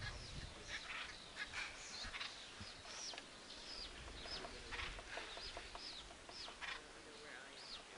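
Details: Acorn woodpeckers, gregarious birds, working on a granary tree that stores acorns. They give a run of harsh, arched, downslurred calls in fairly quick, irregular succession over a steady outdoor hiss.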